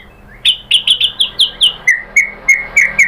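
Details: White-rumped shama (murai batu) lure song meant to provoke another shama into answering: a rapid series of about a dozen short, bright whistled notes, high notes first, then a slightly lower repeated run.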